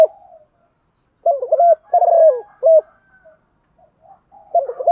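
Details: Female spotted dove calling, used to stimulate male doves into cooing; low, mellow cooing phrases at one steady pitch with slightly falling ends, in three close bursts mid-clip and another at the end, otherwise quiet.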